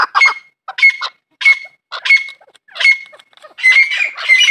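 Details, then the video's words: Chukar partridge, farm-raised, gives a run of harsh, raspy chucking notes, roughly one burst each second, running together toward the end. "chakor francolin voice |chakor ki awaaz"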